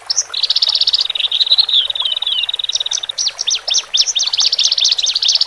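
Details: Male and female Horsfield's bush larks, caged, singing as a lure song for newly separated birds settling into cages: a few high notes, then a long, fast buzzy trill, then a run of sharp, downslurred chirps.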